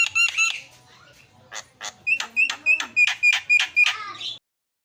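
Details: Javan myna singing, used to prompt a quiet myna into song: a few harsh opening notes, a short gap, then a quickening series of rasping, harmonic notes at about four per second before stopping abruptly.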